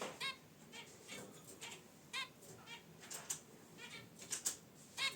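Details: Pet zebra finches relaxing in a cage by their wicker basket nest, original audio: loud nasal honks repeated roughly every half second to second, each a short buzzy beep, with faint rustling between.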